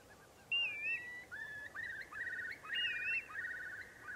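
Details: Eurasian curlew in winter on mudflats at the Kwade Hoek, showing early courtship behaviour: clear, rising whistles running into a sustained bubbling trill, repeated over a few seconds, with faint background noise.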